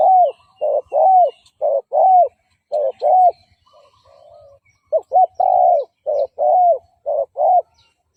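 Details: Spotted dove decoy calling to lure and provoke fighting males. A brisk run of short coos alternates with longer, down-curving ones in quick paired phrases, with a brief soft pause midway and faint high chirps in the background.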